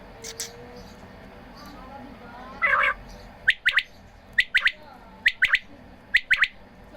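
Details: Quail being watered, giving a run of three-note calls. Each is a fast, sharp triple, repeated roughly every second after a brief rough hissing burst near the start.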